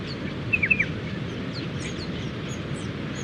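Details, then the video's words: Two Striated Pardalotes preening and calling in a bush near their dune nesting burrows at Sandy Beach, Mid-North Coast of New South Wales; one gives a quick burst of three or four short, sharp down-slurred notes over steady surf and faint distant chirps. "Striated Pardalote sound"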